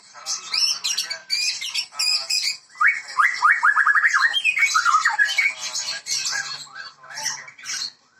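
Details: White-rumped shama (muray, Medan type) singing richly: a fast varied stream of whistled rising and falling notes, buzzy high trills and squawky phrases in quick succession, with no other clear sounds.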